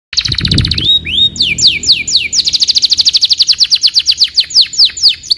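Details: Domestic canary singing a walnut-style song: rapid rows of bright descending notes, a few rising glides, then a long steady trill of sweeping notes repeated about eight times a second, loud and continuous.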